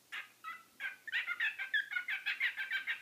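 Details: Pet bird kept indoors after a hurricane, calling noisily when its keeper talks on the phone: rapid series of harsh, chattering squawks repeated several times a second.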